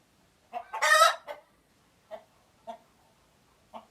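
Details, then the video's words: Alert sounds of a chicken in Uganda: a loud, rasping squawk opens, followed by sparse, short, low clucks at irregular gaps. "Alert Chicken Noises"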